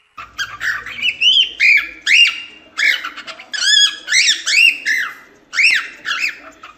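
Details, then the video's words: Cockatiel natural song, meant for teaching chicks: a lively series of arched, whistled notes, rising then falling, in quick pairs and trios with brief gaps, sustained throughout. "Calopsita cantando - canto natural"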